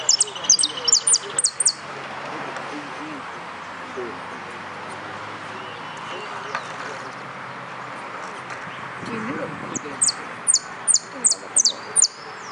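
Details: A yellow canary at a singing contest, 22 September 2013, sings bursts of rapid, high, sharp repeated notes at start and end, with a long quiet stretch of room hum and faint murmuring voices between.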